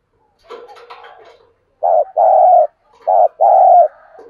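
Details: Spotted dove used as a decoy, giving its calling and provoking coo: a faint rough murmur, then deep, hollow coos in two paired phrases, a short note followed by a longer drawn-out one.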